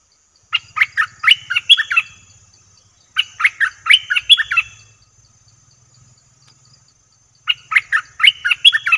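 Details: Lure recording of a streak-eared bulbul for attracting wild birds: three bursts of fast, bubbly chattering notes, each lasting about two seconds and separated by quiet gaps, with a faint low hum underneath.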